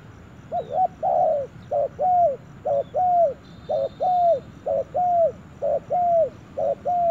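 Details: Spotted dove in a forest for the first time, repeating its cooing pairs, a quick note then a longer arched coo, about once a second, with a brief high twitter from another bird.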